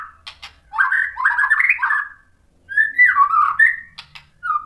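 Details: White-rumped shama song used to provoke other shamas, with two low, rich warbled phrases separated by a pause and a few sharp clicks between them.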